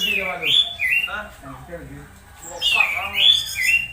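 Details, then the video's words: Orange-headed thrush (anis merah) making strange sounds while conditioned, used as a singing lure; loud slurred whistled phrases rising and falling, then a quieter gap, then more rich whistled slurs. "Suara suara aneh anis merah saat di cas ampuh pancing anis merah bunyi"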